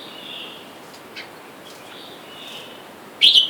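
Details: Red-whiskered bulbul near a caged wild male and female pair, wild birds outside calling for a mate: soft distant whistled notes, then one loud abrupt double chirp at the close.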